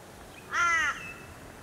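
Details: Torresian crow (Corvus orru) on the Sunshine Coast, Queensland, in August, giving a single harsh, nasal caw with a slightly drooping pitch, about half a second long, over quiet background noise.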